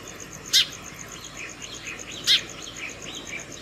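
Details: House sparrows calling other sparrows to food in the morning at a hanging bird feeder at home: two loud, sharp, broadband chirps about 1.7 seconds apart over softer twittering calls, with a steady faint high electronic tone.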